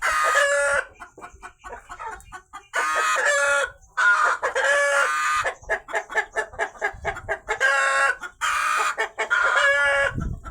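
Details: Rooster calling loudly after a hen laid eggs, repeated long harsh drawn-out cries with strong harmonics, several bursts over ten seconds separated by quicker clucking notes.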